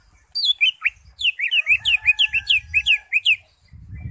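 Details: Greater green leafbird singing in the ngekek style: a fast run of about a dozen loud, sharp whistled notes, each swooping up and down, poured out almost without pause, over a faint steady lower whistle and soft low rumbling.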